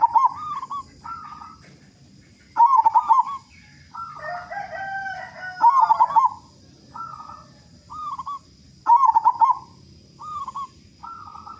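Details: Local zebra doves with loud voices, sung as a prompt for other doves: short bubbly coos between strong rattling bursts about every three seconds, with a lower drawn-out coo from another bird midway.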